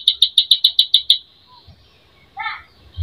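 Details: Greater green leafbird singing with mimicked phrases, a lure meant to provoke emotion: a quick run of eight sharp high notes, silence, then a short falling burst and a thump at the end.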